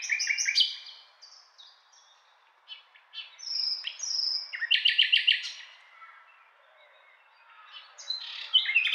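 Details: Nightingale song of rich, constantly changing phrases: paired chirps, clear whistles, a rapid rhythmic trill of repeated notes midway, a brief lull, then more varied notes.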